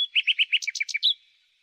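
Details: Common nightingale in spring delivering a short phrase: four evenly spaced rich whistled notes, then quicker higher paired notes and a final upslurred note trailing into silence.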